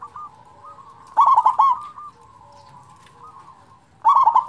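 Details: Local zebra dove with a strong voice, sung to excite silent doves into calling: a burst of fast, bubbling clipped coos, a pause filled with a faint steady tone, then another rolling burst.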